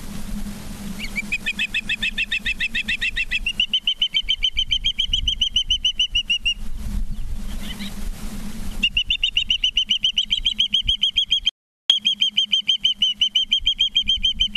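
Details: Osprey at the nest in Charlo, Montana, on the evening of 19 September 2023: long runs of sharp, whistled chirps, about three per second, breaking off and resuming, over a steady low hum.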